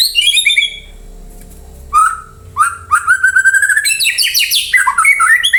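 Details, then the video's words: White-rumped shama song used as a lure so other birds answer and sing: varied loud phrases, a descending whistle, rising slurred notes, then fast high trills and dense jumbled warbling. "Pancingan murai jadikan burung anda ikut nyaut dan gacor"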